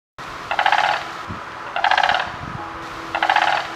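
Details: Sandhill Crane in Central Florida, among ponds, fields and neighbourhood edges, giving three loud, deep, rolling, rattling trumpet calls that carry far. Each lasts under a second, about every second and a half, over a low background rumble.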